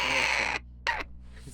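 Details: A rescued baby raven about a month old, well fed and tired, gives a long, harsh, rasping call lasting about half a second, then a shorter, hoarser croak after a brief pause.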